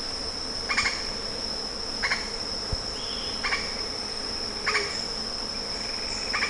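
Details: Lettered aracari giving brief, rasping harmonic notes in a loose series roughly every 1.3 seconds, set against a constant shrill insect hum.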